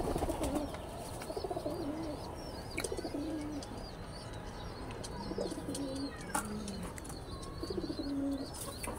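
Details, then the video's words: Domestic pigeons kept on a house rooftop giving low, soft coos, short hooting notes repeated every second or so over a steady background hum, with thin high chirps from other small birds throughout. "আমাদের বাসার ছাদে কবুতর পালন।। pigeons"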